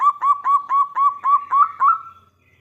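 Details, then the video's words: Local zebra dove singing in full voice as a lure to draw answering doves: a rapid series of about nine soft, even coo notes at steady pitch, ending in a slightly longer final note. "PERKUTUT LOKAL GACOR suara besar - LANGSUNG KONEK (BIKIN NYAUT) PANCINGAN BURUNG PERKUTUT"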